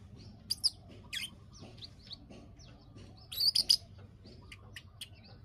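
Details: Bar-winged prinia (ciblek) clicking call played as a lure to bring birds into breeding condition; sharp high clicks in scattered bursts, a quick triple click near the end, over a low background rumble.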